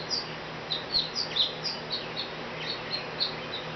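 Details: Back-porch sparrow, described as very vocal, producing a string of bright high chirps at uneven intervals, fairly soft, with a quiet hissy background.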